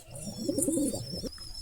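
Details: Girebaz pigeon of a 40-year-old line giving a short burst of rapid, low, bubbling coos that end abruptly, with faint high whistling birds in the background.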